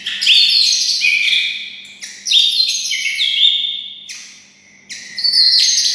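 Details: White-rumped shama raised beside red-whiskered bulbuls gives loud, rich whistled phrases imitating the bulbul. Bright warbles rise and fall in three or four clear bursts separated by brief gaps.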